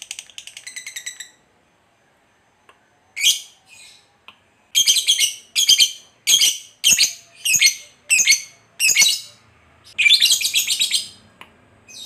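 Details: Lovebird, a fighter-type bird, used as a lure to provoke other lovebirds; a fast buzzy chattering trill opens, then harsh rasping bursts repeat roughly every half second to second, high-pitched and dry.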